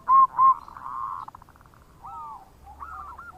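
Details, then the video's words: Local zebra dove in bekur song for luring other birds: two strong mellow hoots open, then a softer quavering trill, a quiet gap, and a few looping, wavering coos at lower volume. "Perkutut Lokal Gacor Suara Bekur Untuk Pancingan"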